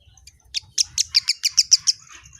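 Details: Kemade calling a rapid string of about eight sharp, high, slightly squeaky notes, evenly paced, followed by faint trailing twitter over low background hum.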